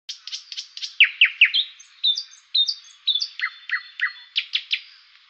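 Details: Nightingale singing a varied phrase: clusters of short, sharp descending notes, then clear level whistles repeated several times, ending with quick buzzy chips, all high-pitched and loud against a quiet background.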